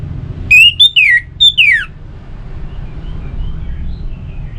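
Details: Orange-headed thrush song used to prompt kept birds into singing: four loud, clear whistled notes in quick succession, each sliding downward, followed by quiet with a low background hum.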